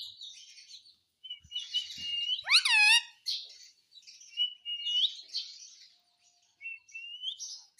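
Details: Talking pet Indian ringneck parakeet speaking Hindi words like "mummy"; chattering high notes, then a strong harmonic, word-like syllable sweeping upward, followed by rising whistled slurs and soft squeaks.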